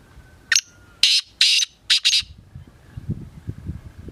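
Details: Black francolin (kala teetar) calling: a short sharp note followed by four harsh, scratchy bursts about half a second apart, the last pair joined, then low rumbling background.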